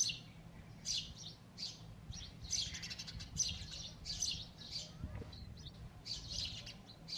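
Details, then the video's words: At the nest, a male sparrow with two females gives loud, scratchy chirps in irregular clusters, some bursts rapid and rattling, over a soft low background hum. "Loud Birds Chirping Sound | Sparrows Chirping on Nest"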